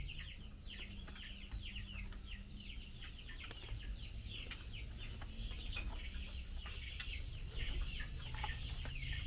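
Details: Mealworm feeding prompts a female Chinese hwamei to call the male: quick, somewhat irregular series of short falling chips, about two to three per second, with background hiss and low hum.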